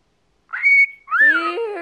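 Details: A talkative indoor pet cockatiel, a 14-year-old male, gives one steady level whistle and then a longer, richer note that rises and falls, with a low buzzy undertone beneath it.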